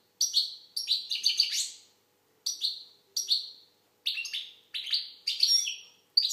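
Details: Algerian goldfinch singing: bright, rapid twittering phrases of high tinkling and buzzy notes, delivered in short bursts separated by brief pauses, with no other sounds.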